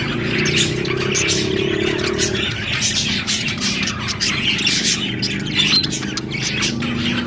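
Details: Budgerigars chirping: a dense, continuous chatter of overlapping high twittering notes, with no breaks, over a steady background rumble.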